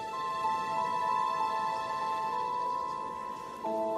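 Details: Sustained, slow musical tones hold a steady chord before shifting to a new chord near the end, with a soft, rain-like hiss underneath and no animal voices.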